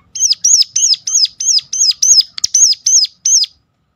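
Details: A Sunda warbler calls sharply, a sound used to provoke other Sunda warblers to sing: eleven steady, high, arch-shaped whistled notes in quick succession, then silence.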